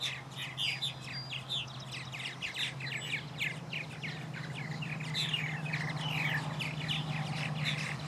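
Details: Purple martin nestlings and their parents chatter in a dense run of gurgling, chirping calls, several birds at once, over a steady low hum, at a wetland park in Murrysville on 11 July 2020.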